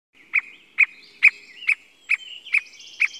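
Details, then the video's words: Squirrel cuckoo in Costa Rica: sharp, clipped notes repeated steadily about every half second, seven in a row, with faint thin whistles and a buzzy trill from other birds behind. "CUCO ARDILLA COMÚN"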